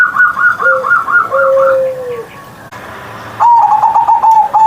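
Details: Kept zebra dove singing in the morning with a loud voice: a higher rippling coo phrase over low drawn-out coos, a pause, then a burst of rapid staccato coo notes.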